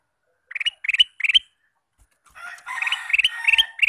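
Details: Ruby-throated bulbul male in all-day song: three brisk groups of rising chirped notes, a pause, then a rough chattering passage topped by repeated bright note clusters.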